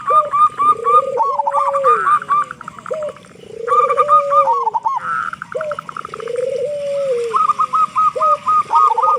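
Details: Local zebra dove singing loudly, used as a prompt to make other doves sing: phrases of rising, wavering coos mixed with short stuttering notes, repeated every two to three seconds, clear and dominant.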